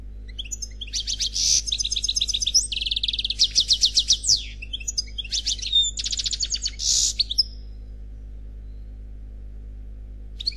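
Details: An unpaired European goldfinch sings a khalwi-style song in dense, high, buzzy trills and rattling twitters for about seven seconds, then goes quiet, with a constant low hum behind it.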